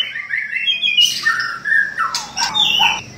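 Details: White-rumped shama song of fluid whistled phrases, rising and falling at mid pitch, broken by sharp high chirps and harsher bursts, in a continuous lively sequence.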